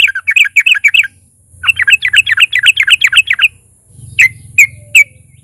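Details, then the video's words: A sooty-headed bulbul's combative lure song: chattering, bubbly phrases in two runs, then three sharp single notes spaced apart. "pancingan TRUCUKAN GACOR fighter NARUNG"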